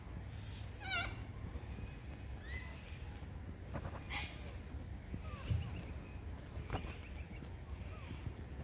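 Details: Corellas in the morning give harsh, raspy screeches in scattered bursts every second or two over a steady low rumble, with other birds calling faintly.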